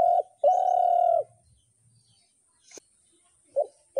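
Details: A spotted dove gives one long, steady coo with a clipped note before it. Quiet follows, broken by a sharp click and short muffled sounds, over a faint high whine.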